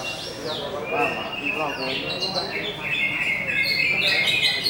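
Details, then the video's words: Greater green leafbird's song: quick high whistled phrases and falling slurs strung together with chattering notes, accompanied by nearby human speech throughout. "CUCAK HIJAU BUSSER ‼️ DACIM CIKAL CICADAS"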